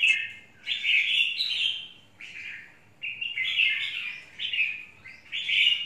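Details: Red-whiskered bulbul song: loud, mellow warbled phrases repeated about every second, some notes rising and falling in a lilting pattern.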